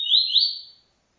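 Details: Fragment of a double-collared seedeater's TuiTui encarte song: a single loud, high whistled sweep, slightly rising, fading out in under a second. Quiet background.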